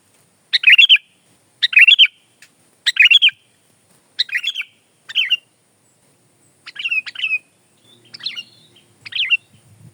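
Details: Sooty-headed bulbul giving a string of short, lively chirped phrases, each a quick burst of bubbly notes with a slurred whistled ending, repeated roughly every second; faint low rumble near the end, no other birds.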